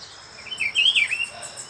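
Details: A visiting pair of rufous-browed peppershrikes in Brazil, near the owner's bird; one gives a short, warbled whistle that rises and falls for under a second, over a faint high insect hiss.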